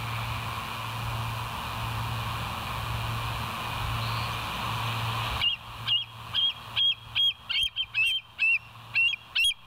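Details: Bald eagle at the West End nest, live cam, 07/04/2023, 06:17; after several seconds of low hum, a loud rapid series of about ten high, sharp piping notes bursts out.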